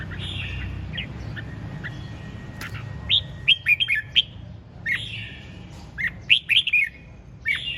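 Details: Red-whiskered bulbul singing lively phrases of sharp, slurred whistles and quick chirps, several loud notes in a row, mixed with softer buzzy trills; low steady background hum.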